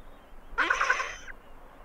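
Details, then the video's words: A great skua intruding on the territories of two adjacent penguin pairs gives a single short, harsh, grating screech lasting under a second, with quiet background before and after. "Skua Calls As They Invade Territories Of Two Adjacent Penguin Pairs"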